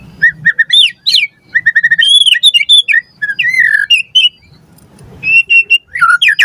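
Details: White-rumped shama song used to tutor caged birds: short whistled notes and chirps, a smooth warbled middle phrase, then a pause and a row of repeated level whistles ending in a downward slur.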